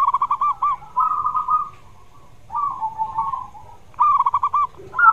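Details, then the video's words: Zebra dove song played so a reluctant dove will answer: a sharply pulsed trill opens, followed by smoother drawn-out falling coos, a pause, and another clipped trill near the end. "Suara TERAPI Perkutut Yang MALAS Bunyi"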